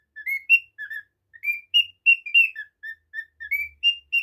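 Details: Pet cockatiel's rapid whistled chatter: short rising slurs mixed with flat, lower chirps, delivered in uneven bursts of several notes with little background sound.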